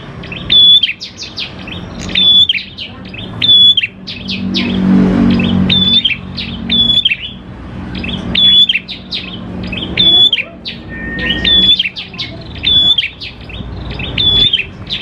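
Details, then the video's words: Energetic prinia song (prenjak klawu), played as a lure to prompt other prinias to sing: high chirpy phrases, each with a sharp flat whistle, repeated steadily about every second and a half throughout, with faint low rumble. "PANCINGAN PRENJAK KLAWU GACOR, NGALUN BIKIN PRENJAK CEPAT BUNYI"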